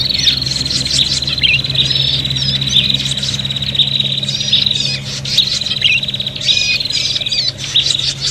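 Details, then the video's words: Prinia lure call, agitated and fighting: continuous high buzzy trill with repeated squeaky chirps and quick twittering bursts every second or so, a steady low hum in the background. "suara prenjak pikat ribut tarung"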